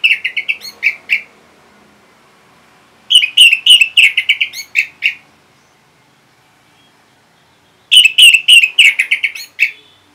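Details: Orange-headed thrush, a cage bird in Singaraja, Bali, replying to a lure: three fast bursts of repeated chirped notes, each run about a second or two, with quiet gaps between.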